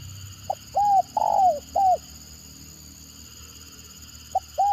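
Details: Stuttering-style spotted dove lure bird calling a phrase of one short note followed by three mellow arched coos, the middle one longest and sliding down, then a new phrase beginning; faint steady hum behind.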